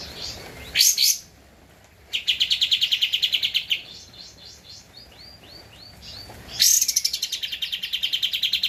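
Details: Javan white-eye recorded as a master song for cage-bird training: a sharp burst, then rapid, even chattering trills of high repeated notes, with softer whistled phrases between the loud runs.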